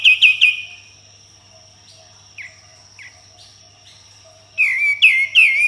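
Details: Sooty-headed bulbul in vigorous tembakan song: a cluster of three sharp chirps, a quiet stretch with a few soft downslurred notes, then a loud run of three ringing, wavering chirps.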